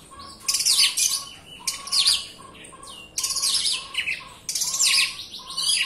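Oriental magpie-robin in dense, nonstop song: loud bursts of high, sweeping whistles and harsh chattering notes, over a steady row of short, lower piping tones.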